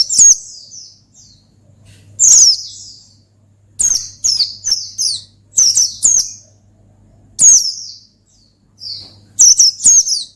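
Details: Ngalas-style song from an Oriental white-eye, used to call out a rival: sharp high chirps delivered in quick runs of two to four notes, repeated at irregular intervals, with a low background hum.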